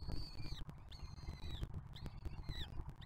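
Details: Peregrine falcon young at a nest box on the Museo de America, filmed by nest camera while a juvenile from the 2023 brood feeds its 2024-brood siblings; three drawn-out, thin, high squealing calls that drop slightly at the end, over a low rumbling background.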